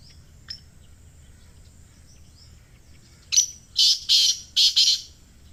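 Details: After a quiet stretch with a faint chirp, a black francolin gives its harsh call: a sharp lead note and four buzzy, rasping bursts grouped in pairs. The recording is meant to prompt captive francolins to call.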